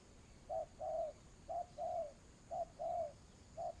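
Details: Vietnamese trapping decoy spotted dove cooing rhythmically: a short coo followed by a longer one, the pair repeated about once a second, clear and close over a quiet hissy background.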